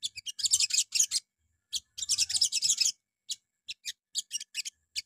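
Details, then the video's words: Crimson sunbird morning lure song to set other birds singing: extended high, scratchy chattering runs followed by scattered sharp single chips, with soft low rumble in the background. "PANCINGAN PAGI HARI SOGON LANGSUNG NYAUT"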